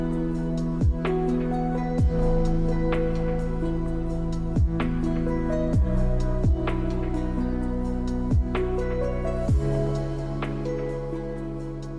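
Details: Soft, tender instrumental music with sustained low tones and gentle plucked accents, with no animal sounds audible.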